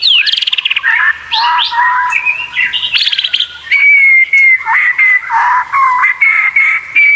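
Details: Varied white-rumped shama song from a training recording for competition birds, mixing scratchy bursts, slurred notes and a run of bright, repeated whistled phrases rising and falling.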